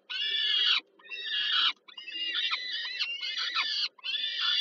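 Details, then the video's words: Several harsh, noisy screeches of peregrine falcon nestlings begging during an evening feeding by their mother, Warsaw, Poland, July 2022; long rasping cries close together, broken by brief gaps, low hum in the background. "Sokół wędrowny Warszawa, Termika Żerań (PL)- kolacja, Nela karmi maluchy"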